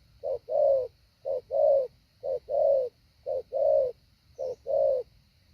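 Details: Training session of a spotted dove decoy in the hạ bổi style, with five evenly spaced low coo pairs, each a short note leading into a fuller, longer hollow coo.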